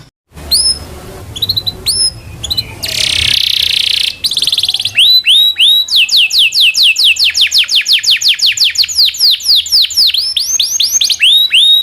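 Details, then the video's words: Canary singing for training other canaries: scattered rising chirps, a harsh buzzy burst, then a long regular roll of repeated falling whistled notes. "SUARA BURUNG kenari gacor cuit cuit ngerol panjang ini buat MASTERAN KENARI dan PANCINGAN KENARI"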